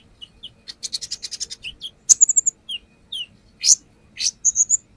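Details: Brown-throated sunbird singing hard for a lure recording, showing off its fill-in phrases: a fast stuttering series, a loud sharp burst, mid-pitched notes, and a closing row of repeated high whistles.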